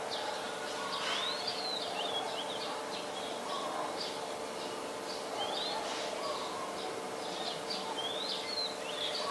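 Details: Adult Chestnut-headed bee-eater, Ubon Ratchathani, Thailand, February 13, 2021, recorded on a Nikon P1000: scattered high chirps and quick rising sweeps, loosely spaced, over a steady low hum.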